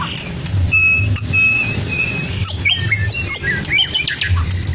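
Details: Caged white-rumped shama of the Medan type with a mimicking song that borrows from lovebird, canary and cililin. It opens with flat sustained whistles, then quick rising and falling chirps against a constant low rumble.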